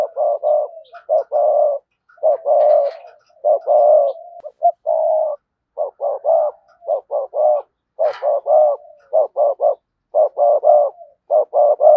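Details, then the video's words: Decoy spotted dove giving sa gù and thúc bổi cooing: a continuous run of low gruff coos, mostly in pairs and triplets, closely packed with brief gaps, no other sounds. "Chim Cu Mồi cườm sa gù + thúc bổi nghe là phải gáy"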